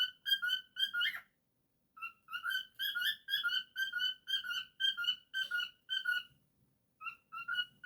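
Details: Pet cockatiel indoors whistling a quick run of clear, paired notes, each with bright overtones, repeated in steady phrases with short pauses between bursts; no other sounds.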